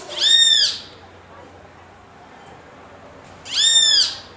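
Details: A great kiskadee gives two loud, harsh, slightly arched calls about three seconds apart over a quiet background, calling to another of its species.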